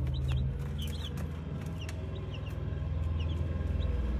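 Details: Peeping Brahma chicks: scattered thin, high chirps, some in quick pairs, spaced irregularly across four seconds above a constant deep mechanical-sounding hum.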